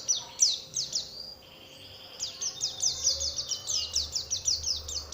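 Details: Lure song to provoke other Oriental white-eyes to sing: high, thin notes sliding downward in fast runs, a short thinner whistled pause, then a long rapid string of downslurred chips.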